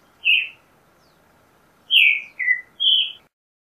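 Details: Creamy-bellied thrush singing: one slurred whistled note, a pause of over a second, then three quick phrases in a row, the middle one lower and falling, in a quiet setting.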